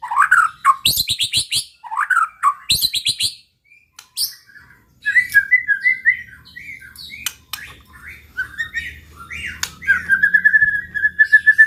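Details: White-rumped shama pouring out varied song to provoke rivals: rich falling phrases with high buzzy notes, then a chattering run, ending on a steady whistled note repeated smoothly, over a low hum.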